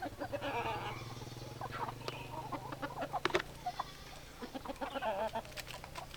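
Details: Several hens cluck and murmur together, overlapping short tonal clucks and croaks with a constant low hum underneath.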